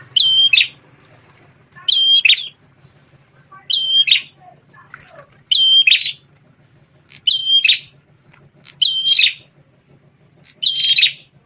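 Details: Champion red-headed prenjak tamu, a prinia once kept as a song tutor for white-rumped shamas, delivers seven evenly spaced phrases, each a piercing level whistle followed by a harsh buzzy trill, roughly every 1.7 seconds over quiet background.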